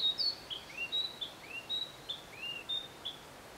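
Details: Narcissus flycatcher singing at a hot spring in Matsunoyama, Japan: a soothing series of clear, high whistled notes, some rising and some falling slightly, repeated roughly every third of a second over quiet background noise.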